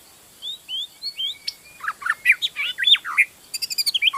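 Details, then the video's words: Magpie-robin in the wild in forest, kept as a training song: clean rising whistles lead into rapid, richly varied warbling with sharp slurred notes, ending in a fast stuttering run of short chirps. "Masteran suara burung murai asli di hutan"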